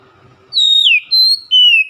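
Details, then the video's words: Loud whistled lure song of an Oriental magpie-robin: a long level whistle dropping into a downward slur, followed by two clean steady whistles, one slightly higher and one lower, each clearly separated. "PANCINGAN HARIAN KACER NGEPLONG GACOR SUARA KERAS"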